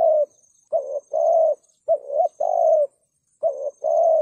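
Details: Caged spotted dove in the 'thúc gù' style meant to draw in wild doves: quick pairs of deep coos, a brief upturned note followed by a longer level hoot, phrases coming close together with a thin high-pitched hum in the background.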